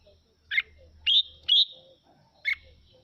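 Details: Mào Mộc red-whiskered bulbul singing to spur other birds on: four loud notes in three seconds, a chirp, two ringing whistled slurs, then another chirp, over soft low hum.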